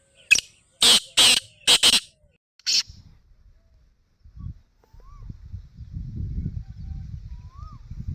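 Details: Black francolin (kala teetar) giving a harsh call of five short, grating broadband bursts in quick succession over about three seconds, then quiet with faint low rumbling noise and a brief high whistle.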